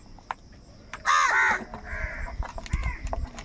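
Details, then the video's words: One strong, raspy caw bursts out from a crow in an angry group contesting food, followed by a softer, hoarse second call over low background thuds and faint clicks. "All types of crow sounds - Angry kauwa ki awaaz | Crow bird unity anger and sound for food"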